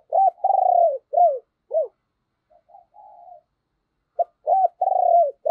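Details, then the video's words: Decoy spotted dove cooing to stir other doves into cooing: a loud phrase of short, arched coos and one long falling coo, then a softer, drawn-out coo and another loud series near the end. "Chim Cu Mồi Thúc Và Gáy Gọi Kích Bổi Nhanh Gáy"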